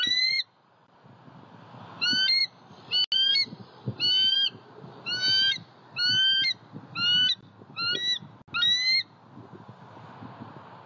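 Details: Eagle at a pond in Southwest Florida, 23 February 2020, filmed by an eagle cam: a series of about nine short, ringing, slightly rising harmonic notes, roughly one per second, over steady low rumbling background noise.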